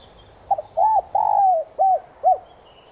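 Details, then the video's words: Decoy spotted dove giving its 'son'-style coo meant to provoke wild doves into answering: a quick broken double note, then arched hoots with one long falling coo in the middle. Thin high whistles sound faintly in the background. "Cu đất gáy GIỌNG SON CHUẨN kích bổi nhanh gáy"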